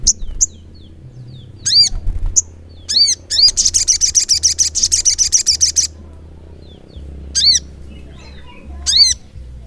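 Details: Sogok ontong, or ruby-cheeked sunbird, singing gacor ngleper. Scattered sharp arched chirps frame a long, fast volley of buzzy high notes lasting over two seconds.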